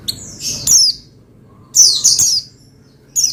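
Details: Oriental white-eye (pleci) song meant to stir another pleci into singing: short, high, thin twittering phrases of sliding notes in two bursts separated by about a second of quiet.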